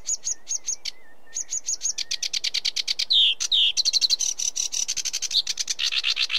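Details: Sedge warbler song: clipped buzzy notes in short runs, a pause with a low whistle, then louder grating phrases, two squeaky slurs and a dense rattling finish.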